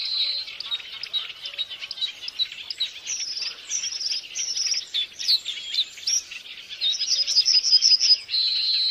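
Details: Violet-backed starling (Cinnyricinclus leucogaster) giving a rapid, busy run of high chirps and short whistled notes, some rising sharply, about three per second, with buzzy clusters and no other clear sounds.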